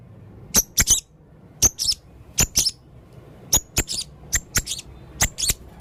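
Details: Shrill high notes from a male blue-crowned hanging parrot, singing busily with a full repertoire. Single and doubled sharp chips come in uneven clusters.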